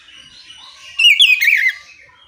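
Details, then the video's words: Oriental magpie-robin song used to stir other magpie-robins to sing; a short burst of rapid, warbling, downslurred notes rising out of quiet background chatter. "Suara kicau kacer ngeplong memancing kacer apasaja ikut bunyi nyaut ngeplong gacor!"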